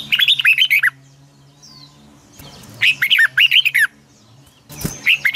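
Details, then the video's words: Red-whiskered bulbul delivering its long double twisted morning song, a decoy recording for training other birds: three bursts of fast, bubbling whistled notes that rise and fall, with a faint low hum underneath. "Luyện chào mào hót sáng 2020, Giọng kép xoắn dài Quá hay"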